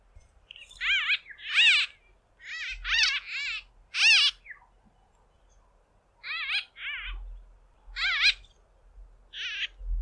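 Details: A small flock of White-fronted bee-eaters hawking insects from fence poles gives loud, nasal, squeaky-toy calls: short harmonic bursts in irregular clusters from several birds, with a faint low rumble between.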